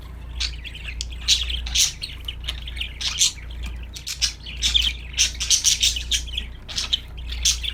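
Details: Cheerful budgerigar singing, busy and chattery, with rapid clicks, rasps and warbled chirps packed closely together and growing denser toward the end, over a low hum.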